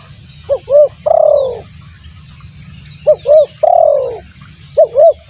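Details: Spotted dove call for luring birds: a phrase of two short coos and one long falling coo, repeated about every two and a half seconds, over a low electrical hum.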